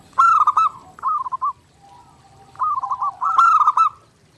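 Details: Zebra dove master song for daily training: a bright pulsed coo phrase and a short echoing phrase, a quiet gap, then a longer stuttered run with a loud accent.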